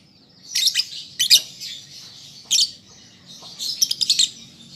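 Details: Young lovebird learning to sing: high, shrill chirp bursts in clusters around half a second, one second and four seconds, over a steady thin high hiss-like chatter, with quieter gaps between.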